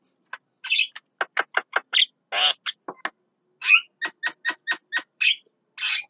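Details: Javan myna singing at midday: a varied run of harsh clicks, chattering notes and raspy bursts, delivered in quick irregular series with short pauses, against a quiet background.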